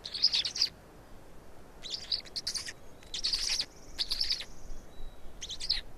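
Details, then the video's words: Estonian black storks feeding, afternoon of 16 May 2019: clusters of shrill, scratchy chirps arrive in irregular bursts separated by pauses, one with a thin drawn-out whistle, over soft low rumble. "Estonian Black Storks - Feeding for two"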